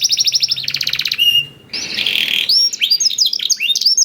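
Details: Canary song filled in blackthroat style, a lure for making canaries sing: quick trill, a steady whistled note and brief pause, a rough buzzy passage, then scattered short chirps with a low background hum.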